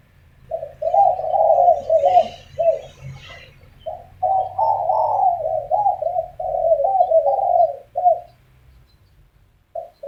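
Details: Spotted doves arguing in the morning: overlapping runs of low, rolling coos follow one another almost without pause. Phrases break briefly before another long bout of cooing, and faint chirps sound higher above.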